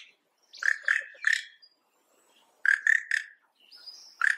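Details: A Yellow-rumped cacique gives two bursts of three loud, rich, slightly nasal notes with a thin high whistle drawn out between them, part of its harsh "kshara-chee" call that sounds like its name.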